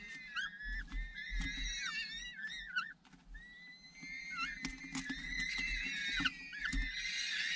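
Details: Falcon nest during a feeding visit by an adult returning from a hunt; a run of shorter, wavering, squealing screams, some clipped and some slurred, with scattered clicks and knocks and a brief lull midway.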